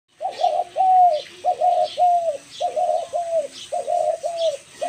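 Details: Dove calling with a quick series of low, hooting coos, delivered in paired phrases that rise slightly and fall away, about eight phrases in five seconds with short pauses between pairs; faint higher chirps in the background.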